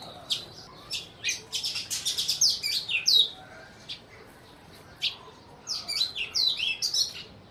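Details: Sparrows in Burma giving rapid, high chirps and twittering: clusters of sharp tweets with a few slurred downward notes, pauses between bursts, several birds calling together.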